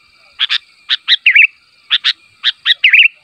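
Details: Sooty-headed bulbul calling to draw answers from other bulbuls: short paired chirps at irregular intervals, each run ending in a quick wavering, bubbly phrase, over a faint steady high tone.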